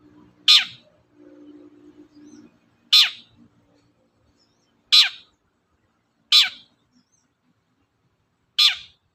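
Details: Long-tailed shrike repeating a single harsh, rasping descending call five times at roughly two-second intervals, used as a lure to provoke other birds to sing; soft low hum early on.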